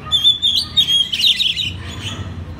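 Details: Oriental magpie-robin used as a master bird for training others: a brief run of sustained high whistles sliding into a harsh, rich warble.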